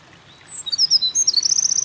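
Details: Eurasian wren song from a mountain pass on 28 April 2024, where the bird had been carrying nest material; after a quiet start, thin high notes build into a quick, evenly pulsed trill.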